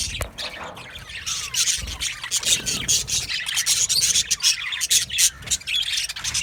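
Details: Australian budgies in a colony aviary, chirping and singing: steady overlapping high chatter of scratchy notes and short squawks, with a few low knocks underneath.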